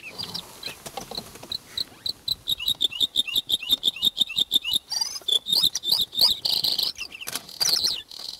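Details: A Bluethroat, filmed at Mavigerdan in Northern Cyprus, sings a run of high, ringing notes that quickens into a rapid trill, then breaks into varied scratchy, buzzy and twittering phrases.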